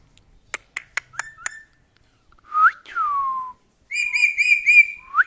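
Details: Male pet talking parrot, said to sing, whistle and speak, gives a few sharp clicks, then loud swooping whistles rising and falling, then a rapid buzzy run of repeated notes ending in a short rising whistle; quiet room.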